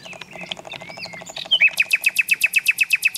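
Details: Nightingale song where soft mixed whistles lead into a loud, steady, evenly repeated series of sharp notes, roughly four per second.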